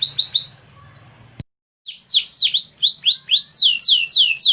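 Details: Canary singing. A quick burst of three sweeping notes is followed by a click and a short silence, then a fresh phrase of swooping, descending whistles at about four per second.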